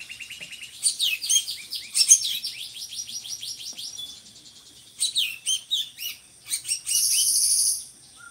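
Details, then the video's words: Drongo singing, valued as a tutor bird for other songbirds: rapid high chirping and trilled phrases, sharp falling notes, ending in a sustained buzzy rattle. "SRIGUNTING GACORRR"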